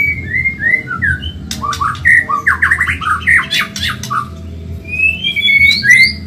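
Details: White-rumped shama of the Medan type, singing energetically in a training recording for caged birds: gliding whistles, then a rapid chattering stretch of clicks and short notes, ending in bright rising whistles, with a low hum throughout.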